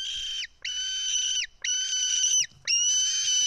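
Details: White-tailed eagle chick at a nest in Estonia, 4 July 2018 early afternoon, screaming while an adult feeds it fish: long high whistled screams with flat tops and dropping ends, about one per second, short gaps between.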